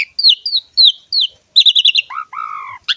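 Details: Asian pied starling song for training and luring starlings: four clear downslurred whistles, a fast burst of warbled notes, then a long, low, wavering whistle and a sharp final chirp.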